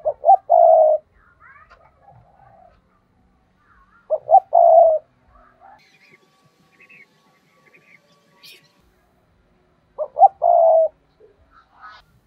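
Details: Spotted dove kept as a decoy, calling in the 'thúc' style to lure wild doves for trapping: three hooting phrases, each two quick clipped notes and a longer throaty coo, about every five seconds. Soft chirps in between.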